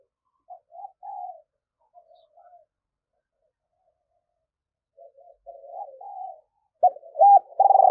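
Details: Female spotted dove calling to provoke males: soft low coos in short bursts around 0.5–1.4 s, 2–2.5 s and 5–6.4 s, ending in louder, harsher repeated coos near the end.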